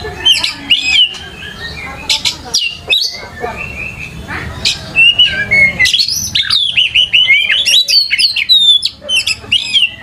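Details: Oriental magpie-robin (Copsychus saularis), song.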